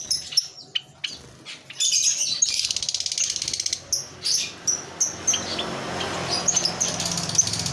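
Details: Lovebird kept as a pet, chattering in bursts of sharp, shrill chirps and squeaks, with brief pauses between clusters, some notes rising and scratchy, in a quiet indoor setting.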